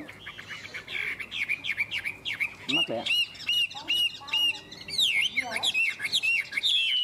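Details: A caged Chinese hwamei hung in a peach tree on a sunny day sings a loud, varied run of rich whistles, slurred notes and rapid trills, phrases tumbling quickly with shifting pitch.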